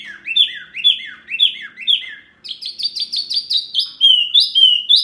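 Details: Songbird tutor recording (masteran) aimed at birds such as shama, magpie-robin, leafbird and starling; a run of sliding downslurred whistles about twice a second, then higher, quicker chattering notes and clear whistles.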